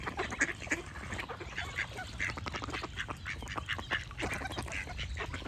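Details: Ducks quack in an unbroken overlapping chorus, short raspy nasal calls, a few louder ones at the start and near the end, with low ambient rumble.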